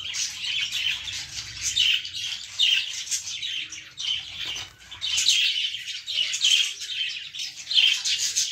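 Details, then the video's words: Baby lovebirds in a plant give dense, shrill chirps in bursts that are repeated through the clip and overlap one another, with short quieter gaps between the bursts. "baby love birds in plant l cute birds in plant l love birds sounds"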